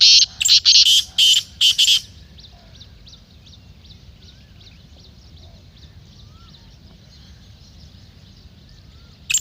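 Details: A single black francolin phrase opens the recording: five or six loud, scratchy, grating notes in two seconds. Quiet follows, with only faint distant chirps and whistles from other birds, then a final harsh note.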